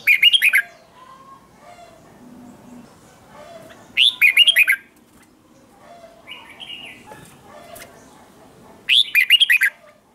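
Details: Morning song of a red-whiskered bulbul, a wild-caught bird being trained to sing for contests: three loud warbled bursts of quick slurred notes spaced about four seconds apart, with a softer whistled phrase between.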